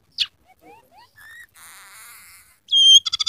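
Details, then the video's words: Scaly-breasted munia (emprit peking) singing vigorously, its song filled with phrases of canary, house sparrow and red siskin. Scattered short whistles and a buzzy warbled stretch lead into a loud sharp whistled note and a fast chattering run. "masteran burung emprit peking gacor isian suara kenari kasar"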